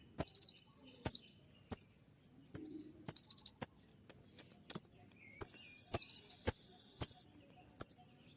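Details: A kolibri ninja sunbird's sharp 'tembakan' song: piercing high upslurred chirps about every half second, short stuttering trills, and near the end a sustained buzzy rattle overlaid with more chirps.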